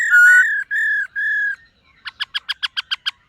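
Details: Morning song practice by a silver-eared laughingthrush: three sustained clear whistles, followed by a regular series of about nine short, bright chip notes.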